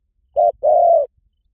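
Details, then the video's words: Spotted dove lure call: one phrase of a brief low coo followed by a drawn-out, steady coo, clean with no other sounds. "เสียงนกเขาใหญ่ หมานๆ ต่อเข้าเร็ว ป่าไหนก็เข้า"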